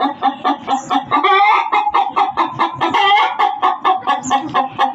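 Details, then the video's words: A hen cackles loudly in a fast series of sharp, nasal clucks, with one stretched, wavering squawk in the middle and bursts packed a few per second. "SUARA AYAM BERKOKOK KERAS || suara ayam berkokok betina 10 menit full"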